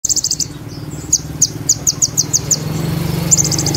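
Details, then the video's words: Sunbird in full song, rolling and firing imitations of Cililin and Ciblek: a fast high buzzy trill, a string of sharp evenly spaced high chips, then another rapid trill, over a low engine-like drone. "Konin Roll Tembak Materi Cililin & Ciblek - Konin Gacor Full Tembakan"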